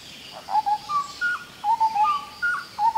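Indian scimitar babbler giving mellow, fluty whistles that step upward in short three-to-four-note phrases, repeated about every second over faint forest hiss.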